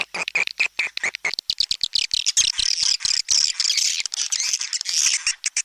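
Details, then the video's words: Swiftlet tarik langgeng sound: it starts with choppy, clicking chirps, then settles into a continuous high, rasping twitter with short pauses. "SUARA TARIK LANGGENG"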